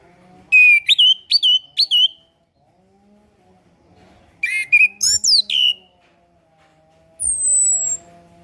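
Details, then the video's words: Orange-headed thrush master song for birds learning to sing: a run of four quick whistled notes, a second burst of tumbling varied whistles, then a long thin high whistle, over a faint steady background hum. "MASTERAN SUARA ANIS KEMBANG KHUSUS UNTUK ANIS KEMBANG BARU BELAJAR BUNYI"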